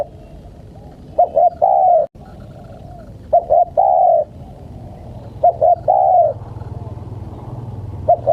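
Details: Cooing of a spotted dove (tekukur) aimed at luring wild birds: repeated phrases of two short notes and one long coo, about every two and a half seconds, over a low rumbling background.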